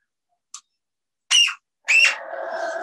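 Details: Two parrots at a bird safehouse, said to trade English words like "Are you hungry?"; a tiny click, then two sharp squawks, the second sliding into a steady buzzy drone.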